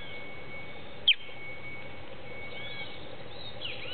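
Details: Creamy-bellied Thrush fledgling just out of the nest, calling from among hedge branches in late afternoon as if to its family: one brief, piercing chirp falling in pitch early on, then steady hiss with a faint thin tone and soft distant notes.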